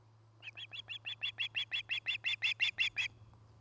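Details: An osprey at a nest cam in Charlo, Montana, on 8 September 2018 around midday gives a fast run of about sixteen sharp, whistled chirps, nearly three per second, growing louder toward the end, over a low steady electrical hum.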